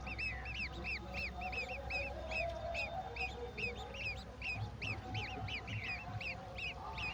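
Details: Golden oriole feeding a mantis to its babies at the nest; a busy series of short, high, arched notes, some overlapping as if from several birds, over a steady low background rumble.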